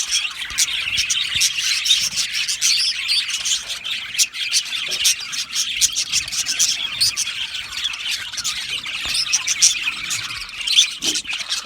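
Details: Colony of budgerigars kept in an aviary, constant overlapping chirps and warbled chatter, with occasional sharp clicks standing out over the flock.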